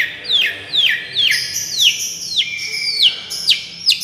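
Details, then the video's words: Long-tailed shrike miyik therapy song for luring: a series of clear whistled notes, each sliding steeply downward, repeated about twice a second with faint high chirps between them. "suaara terapi cendet miyik"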